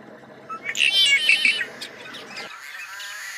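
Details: Tricolored blackbird, a critically endangered species: a brief burst of harsh, buzzy, chattering notes lasting about one second, followed by fainter high scratchy sounds, over a low background hum that stops partway through.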